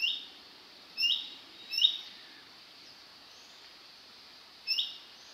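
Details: Male Orange-bellied Leafbird in Hong Kong gives four short, sharp upslurred notes at uneven intervals, high and bright, against a soft steady hiss.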